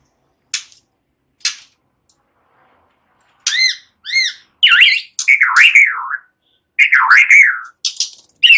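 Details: White-rumped shama relaxed song, cililin and ciblek phrases; a few scattered clicks, then arched repeated notes and looping, wavering whistled warbles.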